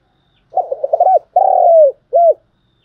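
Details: Lure spotted dove giving its standard calling coo used in decoy training: low stammering introductory notes, a drawn-out vibrating coo dropping in pitch, then a brief clear final hoot, against silence.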